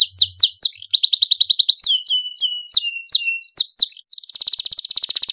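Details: Domestic canary singing loudly and persistently: varied high whistled notes, rapid rolling trills and sharp rising sweeps, ending in a fast steady buzzy trill.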